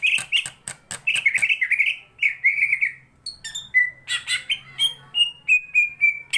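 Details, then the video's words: Greater green leafbird in fighting song: rapid loud burst of sharp clicks and chattering notes, then a run of clear whistled notes repeated roughly every half second. "burung cucak ijone gacor bolo konco..tarung bagus ngentrok.."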